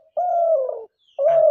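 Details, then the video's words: A hunting decoy dove gives two hollow, low coos, a long steady note that sags slightly and then a shorter one, with a faint rustle at the end. "শিকারি ঘুঘু পাখির ডাক"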